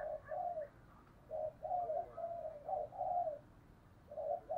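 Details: Spotted dove's fighting coo of the thổ sấm type, heard faintly at a distance. Mellow, rounded coo notes come in uneven runs through a steady hiss of background noise.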